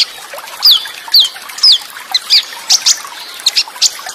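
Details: Olive-backed sunbird training song with rich fill material and fast rolls, recorded with a water sound. Repeated high whistled downslurs come about twice a second, then turn into scattered sharp chips.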